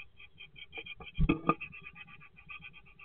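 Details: Great tit at a nest box, 21 February 2024: a rapid run of short, thin, evenly repeated notes, muffled as if from inside the box, with a few louder knocks and scrapes in the middle.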